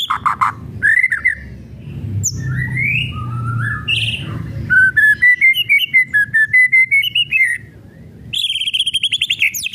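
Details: White-rumped shama kretekan song, meant to provoke other shamas into singing: harsh squawky notes, then a string of short whistles climbing step by step in pitch, ending in rapid high clicking bursts.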